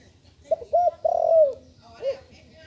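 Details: Young spotted dove just learning to call, filmed in very low light: two short low coos and a longer drawn-out coo that slides downward, then one softer coo after a pause. Faint background hum.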